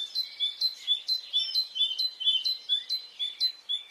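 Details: Birds singing on a spring morning in Brittany: rapid, high chirped notes repeated about twice a second, with thin whistled sweeps and overlapping chatter.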